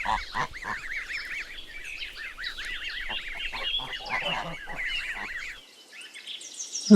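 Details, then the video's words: A goose flock honking: many overlapping nasal, arched honks repeated rapidly for several seconds, dense and continuous, fading near the end before a sudden loud noise. "Animal Sounds • Pig, Cow, Alpaca, Goat, Turkey, Goose"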